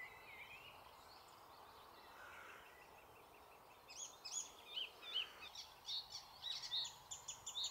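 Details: Icterine warbler in a thicket in the Alblasserwaard, Netherlands: faint, hushed song at first, then from midway a quick run of sharp, high, clipped notes and short whistles repeated about once a second.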